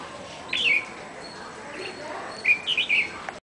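A Red-whiskered bulbul gives two bright, bubbly whistled phrases about two seconds apart, each a quick warbling run, over faint background hiss.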